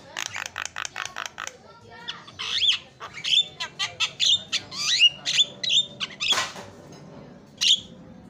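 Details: Javan myna, a champion songbird, giving a quick chattering burst followed by a sequence of squeaky whistles and buzzy notes, with one harsh rasp near the end.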